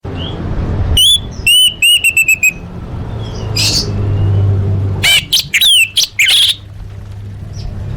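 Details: Orange-headed thrush song used as a lure to get caged birds singing: two bursts of loud, clear whistled notes and sharp rising slurs, separated by a few seconds of quiet, over a steady low hum.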